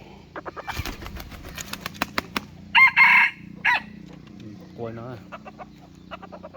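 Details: Decoy rooster crowing: a loud, harsh, broken crow of several bursts in the middle, surrounded by sharp clicks and taps, a low steady hum and a short wavering call near the end.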